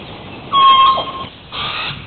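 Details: Hawaiian crow (Corvus hawaiiensis), extinct in the wild: a loud, hoarse, nasal caw with a sliding, ringing tone, then a second, softer, raspy call after a short pause.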